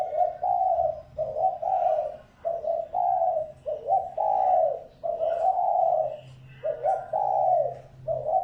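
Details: Decoy spotted dove cooing to attract wild birds, a near-continuous run of low throaty coos, some stuttered and some drawn out and falling, over a steady low background hum.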